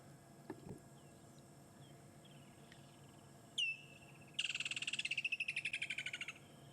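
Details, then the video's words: On a sunset drive in early December near a waterhole in the Djuma area, a woodland kingfisher, newly returned, gives one sharp high note, then a loud rattling trill of about twenty notes dropping in pitch over two seconds, with faint chirps behind. "You can hear the woodland kingfisher is back."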